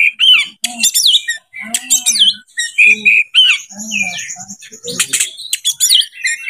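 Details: Oriental magpie-robin, a kacer seeking a rival to fight, singing a long varied song of sharp high whistles, slurred rising and falling notes and rapid chattering phrases, with some lower husky notes mixed in.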